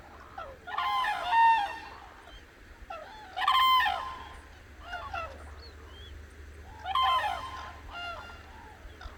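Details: Dawn chorus of cranes on the Hantan River at Cheorwon, Korean peninsula: three powerful, brassy trumpeting bouts about three seconds apart, each a cluster of overlapping calls, with quieter bugling from other birds filling the gaps.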